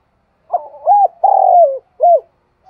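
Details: Spotted dove calling the flock in the morning: a single phrase of soft, low cooing notes, a short coo, a longer drawn-out coo sliding down, then a final brief coo, in a quiet setting.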